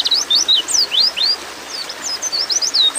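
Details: A female white-eye calling a male while in breeding mood gives a lively series of high, swooping, slurred whistles, some rising, some falling, at an uneven quick pace, with soft hiss behind.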